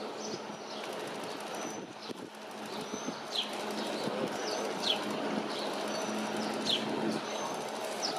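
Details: Red-legged Thrush (Turdus plumbeus), the third North American record, at South Pointe Park, Miami Beach, southeastern Florida, on 29 June 2019, filmed with a bridge camera. Sharp, high, downslurred notes come roughly every second over a steady low hum.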